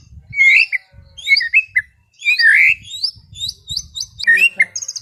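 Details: White-rumped shama singing relaxed 'ngeplong' style song in the afternoon: loud, varied whistled phrases with slurred rising and falling notes, some sharp chips and a closing high rattling burst, pauses between phrases.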